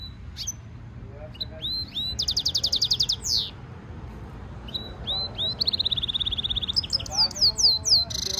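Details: European goldfinch mule singing: twittering whistles, a fast buzzy trill, a pause, then a long even rattle followed by quick slurred chirps, with faint lower warbled notes underneath.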